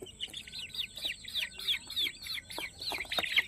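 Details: Many Peruvidai chicks on a farm peep loudly and continuously, each note a clear high chirp arching down, several per second in an unbroken overlapping stream, with a faint steady whine in the background.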